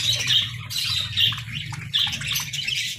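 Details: Pet parakeets chirping in bursts of bright, high chatter that come roughly every half second, with a steady low hum underneath throughout.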